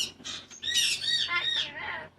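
A cockatoo chatters in harsh, raspy squawks and speech-like bursts, with rising and falling tones over about two seconds.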